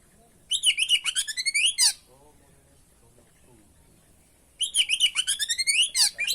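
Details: Energetic kacer (oriental magpie-robin) song meant to coax other birds to sing: two quick phrases of rapid, stuttering, high trills and chirps, each about a second and a half long, separated by a pause.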